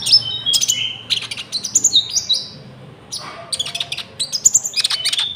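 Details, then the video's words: Common iora (konin) song with cricket-like filling, used to lure wild birds and train caged ones; bursts of sharp high whistles and slurred chirps, a short quieter gap near the middle, then renewed busy chattering. "PANCINGAN GACOR BURUNG KONIN ISIAN JANGKRIK"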